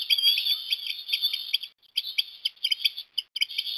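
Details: Osprey at Port Lincoln, Australia, 17 December 2021, during a breakfast fish feeding for a chick; a rapid, almost continuous stream of sharp high chirps, briefly broken twice, with no other clear sounds.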